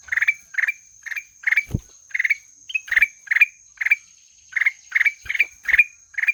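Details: Black-headed bulbul delivering a fast series of rasping, upslurred chip notes, several per second in loose runs, with a few low knocks and a steady high tone behind.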